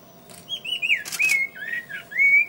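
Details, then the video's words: [2, 'Song of a scarlet-faced liocichla, a string of loud whistled phrases that slur smoothly up and down, with brief broadband rustles between notes.'] "Scarlet Faced Liochichla Song"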